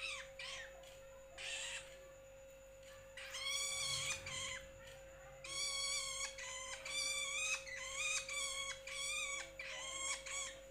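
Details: Juvenile long-tailed shrike, known locally as cendet or bentet, calling insistently with grating, nasal squalls, brief at first, then long harsh notes in rapid succession, over a persistent hum.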